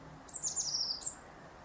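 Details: Eurasian blue tit singing in late winter: a short phrase of very high, thin notes that slide down into a bright, slightly lower trill. No other sounds stand out.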